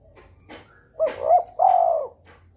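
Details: Spotted dove calling in breeding mood to provoke rivals: a loud phrase of a wavering double note then a long, steady, slightly falling coo, with sharp clicking knocks in the background.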